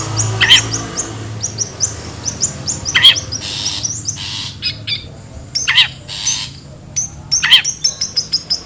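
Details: Lure recording of a wild long-tailed shrike: four loud, sharply descending harsh calls spread over about eight seconds, between broad noisy rasps and frequent thin high chirps.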